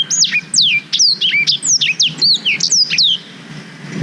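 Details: Song of a black-throated canary, played as a tutor for young canaries and taken with a GoPro Hero 5: about three seconds of lively, high, slurred whistles and chirps, then a brief quiet ending.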